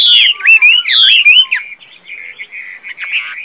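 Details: Loud, ringing whistled slurs from a caged Chinese hwamei in Vietnam, a tame bird noted for good singing and fighting, dropping after a second and a half into softer, wavering warbled notes.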